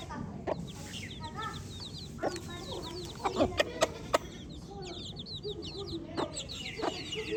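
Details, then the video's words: Baby chicks peep continuously in high, short downward chirps, several birds at once, with a cluster of loud clicks or taps near the middle. "Baby Chick Chirping Sounds"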